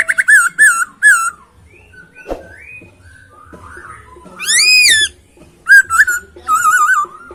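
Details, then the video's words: Masked laughingthrush singing clear, rich isian song: quavering whistles in a short group, a click, soft glides, a loud arched whistle, then two more sets of wavering whistled notes. "Poksay Hongkong isian suara jernih dan mewah"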